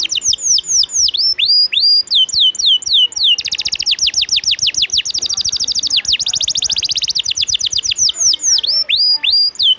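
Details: Canary song for coaching other songbirds: repeated downward-swooping whistles, then a long, very fast ringing trill, ending again with paired falling whistles.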